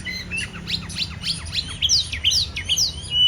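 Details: Oriental magpie-robin singing actively: quick, sharp down-slurred whistles and bright chips repeated a little more than twice a second, rising to high clear notes, over a steady low background hum.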